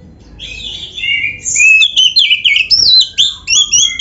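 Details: Oriental magpie-robin song from a training recording for caged birds: soft start, then a burst of loud, fast, varied whistles that sweep up and down, some buzzy, roughly four notes per second.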